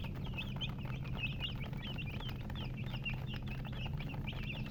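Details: Chicken chicks peep busily, a tight cluster of thin, bent whistles repeating several times a second, with a low hum underneath.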